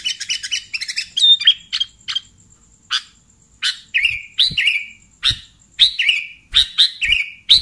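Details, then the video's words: A sooty-headed bulbul, recorded as bait for catching bulbuls: quick stuttering chirps at first, then regular, punchy chirps with short slurred tails every half second or so. "SUARA BURUNG Kutilang Pikat"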